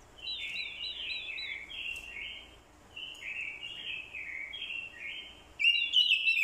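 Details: A female's call stirs this decoy orange-headed thrush into fighting song: steady strings of fluty slurred whistles, dipping and rising in quick phrases, ending in a sudden louder burst of bright notes.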